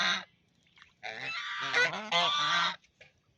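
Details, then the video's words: Duck playing in a pond: one short harsh note, a pause, then a long continuous rasping quack series lasting nearly two seconds. "Duck Making Sound"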